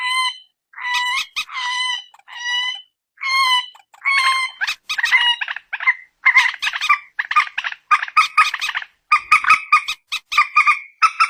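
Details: Phone recording of a common moorhen, called peruk, mandar or tiung locally: drawn-out nasal notes at first, speeding up into a dense run of harsh chattering clucks.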